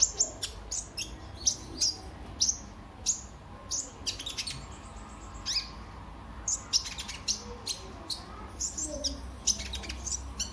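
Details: Sunbird (kolibri ninja) song for luring other birds to sing and for tutoring all kinds of birds: sharp, high chirps and clicks in rapid, irregular bursts, with a faint low hum underneath.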